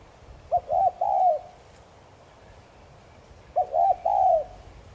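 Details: Spotted dove in 'thúc gù' cooing style, used to rouse other doves to coo: two mellow phrases three seconds apart, each two quick hooting notes then a longer falling coo, over quiet background.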